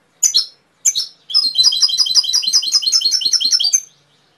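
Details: Canary beginning with two separate sharp downslurred chirps, then a long string of rapid, bouncing high notes repeated several times a second.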